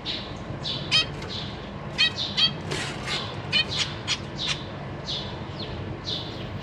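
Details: Caged zebra finch family, parents feeding three juveniles and three new fledglings, April 2023. Thin falling peeps and scattered nasal stacked calls over steady low hum.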